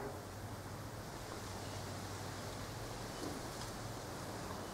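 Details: Constant low rumble and wind-like outdoor noise, possibly distant traffic or surf, continues with no clear animal call.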